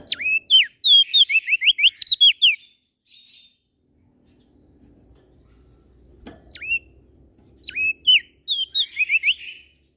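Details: Prinia (prenjak daun) from Lombok, West Nusa Tenggara, singing actively, said to sing morning, noon and night: quick runs of high, sharply down-slurred whistled notes, then a pause and a few single notes before another rapid burst.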